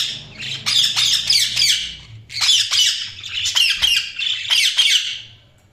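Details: Budgerigars chirping in a busy run of rapid, raspy warbles and squeaky notes, two long bursts broken by a brief pause.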